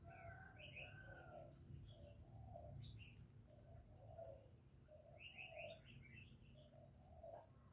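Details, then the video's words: Spotted dove, cu gáy, in the deep 'giọng thổ' voice, calling and cooing to rouse males: a steady series of low hollow coos, while twittering songbirds add rapid high notes in between. "Cu gáy GỌI+THÚC+GÙ hạp bổi kích trống hiệu quả, Cu Gáy giọng thổ, tiếng cu đất.cườm gáy, cu đất gáy"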